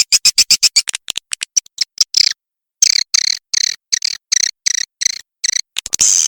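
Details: A walet macan merah swiftlet sound: a quick run of dry, evenly spaced high clicks that slows, then a pause followed by repeated short buzzy chirp bursts about twice a second.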